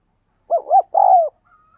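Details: Spotted dove in 'thúc gù' style, cooing to train decoy birds and draw wild doves into calling. A single loud phrase of two quick rising-falling notes, then a longer, steady, slightly falling coo, in silence.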